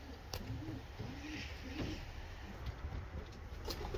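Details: Racing homer pigeon uttering soft, low, wavering coos in short phrases, over a steady low hum with faint clicks.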